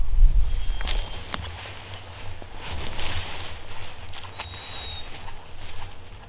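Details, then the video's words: A White-throated Sparrow sings loudly, thin pure whistled "oh sweet Canada" notes on a steady high pitch, behind loud footsteps and digging in rocky, root-filled ground while fruit trees are planted. "White-throated Sparrow singing...LOUDLY!"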